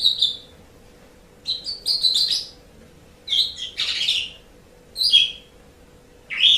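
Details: Pet-bird training song of an Asian pied starling: separate short phrases of squeaky whistles and grating notes, spaced by pauses of about a second, with a steady low hum behind.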